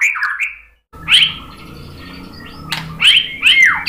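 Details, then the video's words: White-rumped shama phrases played to provoke other birds into song: short arched whistles and upslurs separated by a pause, over a steady low humming background. "Kicauan MURAI BATU bikin NYAUT ikut BUNYI GACOR BONGKAR MATERI ¦ PANCINGAN MURAI"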